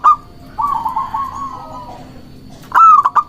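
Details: Local zebra dove singing, used as a lure to call rivals: a brief note, a long wavering cooing trill that fades out, then a loud clipped stuttering phrase at the end, with a faint background hum.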